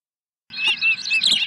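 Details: Osprey chirping at its nest on 23 April 2020 as a second fish is brought in: a short run of shrill, slightly slurred whistled chirps, loud and close, over a faint low hum.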